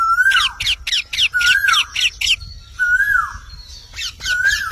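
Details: Parrot vocalizing: a whistled tone that rises then falls, followed each time by a quick burst of harsh, buzzy squawking notes, the whistle-and-squawk pattern repeating about three times over quiet background.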